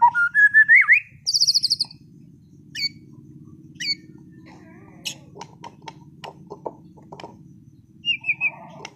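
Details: Caged competition-class white-rumped shama singing vigorously: rising whistled slurs open the phrase, then a burst of high buzzy notes, scattered sharp chips and clicks separated by pauses, and a short descending trill near the end, over a steady low hum.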